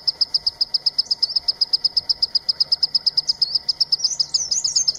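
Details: Green-tailed sunbird calling with fast, sharp, high chips at a steady pitch, repeated in an even series, with a few looser twittering notes near the end.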